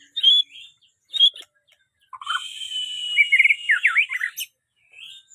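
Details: White-rumped shama singing: two short bright whistled notes, then a long sustained high whistle that breaks into a fast run of rising and falling slurred notes, ending abruptly, with a brief faint phrase after a pause.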